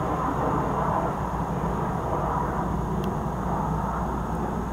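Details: Continuous drone of an engine or passing aircraft, broad and low, with a faint click near the middle and no calls from any creature.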